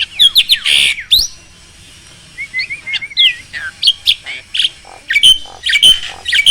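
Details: Black-winged starling singing loudly as a tutor for reluctant singers: rapid harsh chatter and squeals, a quieter warbling passage, then bright sharp whistled chirps repeated irregularly.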